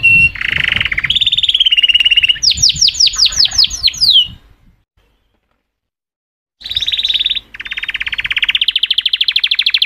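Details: Canary song: fast rolling trills and a run of descending sweeping notes, then a silence of about two seconds before a steady, rapid high trill resumes.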